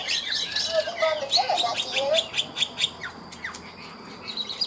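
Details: Chinese hwamei of ngũ trường song style, a caged bird hung out to sing: a jumble of quick high chirps and a few lower slurred whistles, then scattered sharp notes fading out.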